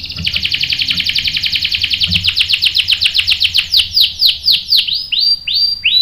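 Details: Bait-style canary singing meant to provoke other canaries into replying with rolls: a long rapid buzzy trill that slows into separate downward-swooping whistled notes, clean and loud with faint low hum beneath.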